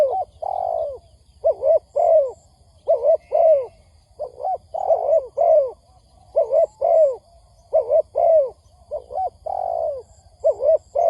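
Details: Repeated spotted dove coos from a trapping lure recording: many mellow low doublets and occasional longer drawn notes, in a steady rhythm of roughly forty phrases a minute, with faint high electronic tones and a low hum beneath.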